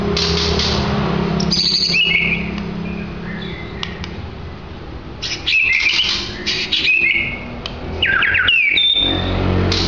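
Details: Captive white-rumped shama, about two years old with a 20 cm tail, kept at a coffee shop in Sidoarjo, Indonesia, where it sings all day and is strongly aggressive toward rivals, sings loud varied whistles, rising sweeps and quick chatter in short bursts over a low hum.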